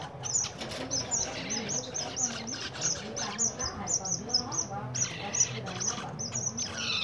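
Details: Winter-season zebra finches calling together: bursts of bright, nasal chirps in quick runs, with a few lower wavering notes beneath and a soft hum underneath.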